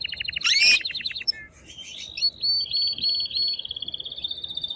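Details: Excited male canary singing strongly to stimulate a female to mate: a fast buzzy rattling roll, a brief high note, then long rapid trilled tours held steady at a high pitch.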